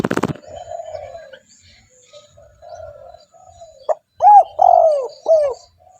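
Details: Spotted dove in full voice, used to draw in wild doves: a sharp knock opens, then soft drawn-out low cooing, ending in three loud, arched, downward-curving coos with faint chirps above.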